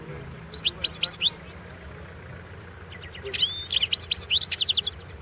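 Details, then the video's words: European goldfinch entered in the 2016 world championship of goldfinch song, delivering two phrases of fast, liquid, high-pitched twittering with sweeping notes, a brief silent gap between them. "World championship in Goldfinch Song 2016"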